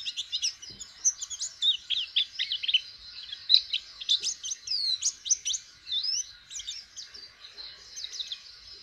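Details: A white-eye, shown learning to open its beak and sing, twitters in a rapid unbroken stream of thin high chirps and sweeping whistles, about two notes a second.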